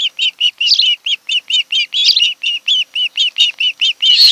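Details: Rapid, even series of short high whistles, roughly four each second, from an osprey of a mated pair nesting on Kent Island, Maryland, captured by nest camera on 26 July 2018.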